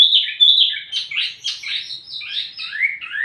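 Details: Wambi mini used as lure and master song for tledekan birds: a short, busy phrase of high, warbled, scratchy notes that rise and fall rapidly.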